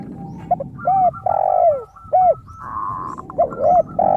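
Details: Zebra dove in full song, crystal-toned and used as a lure for other doves: a series of arched cooing notes, some drawn out, with quick pulsed trills in between and a steady low hum beneath.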